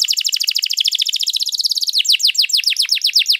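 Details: Canary in energetic, long, richly varied song, used to prompt other birds to sing or to tutor them: a fast rolling trill of sharp downward-sweeping notes, roughly fifteen per second, then slower, wider descending slurred notes. No other sounds.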